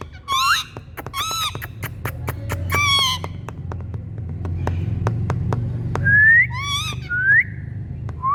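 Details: Several Indian green parrots (rose-ringed parakeets) calling: three loud grating squawks with stacked harmonics, a long stretch of quick clicks over a low hum, then clear upward-sliding whistled calls near the end.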